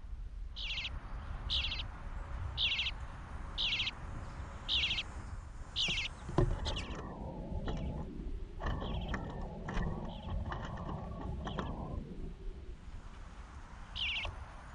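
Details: Bluebird fledglings fed by the male: a series of short buzzy begging calls at a steady pace, then rustling and handling noise for several seconds, then one more call near the end.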